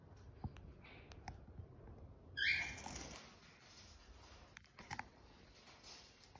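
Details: An albino (lutino) pet cockatiel in Chennai, after eating beetroot, gives a single short, bright chirp over soft background rustling.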